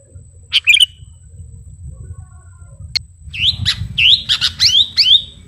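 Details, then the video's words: Sooty-headed bulbul of the garuda type singing vigorously while calling to a rival: a short cluster of bright chirps, a pause, then a run of five or six quick downslurred whistled notes, over a low steady background hum. "Burung kutilang garuda gacor memanggil lawan"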